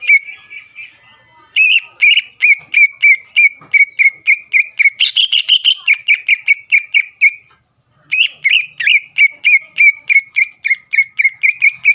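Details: Intense song of a greater green leafbird, played to keep a rival's contest temper steady: rapid repeated whistled chirps racing along for seconds, one brief break, then the same fast chain resumes.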